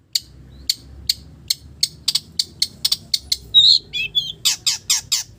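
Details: Song of a long-tailed shrike copying village birds, opening with a steady series of sharp, high ticking notes about twice a second, then a brief warbled twist and a run of louder rasping strokes.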